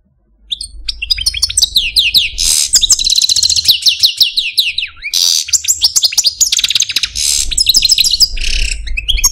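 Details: Algerian parva goldfinch, a male kept as a caged pet, delivering a long unbroken warble of rapid chattering notes, buzzy rattles and downward-slurred whistles, one falling sweep dipping low near the end.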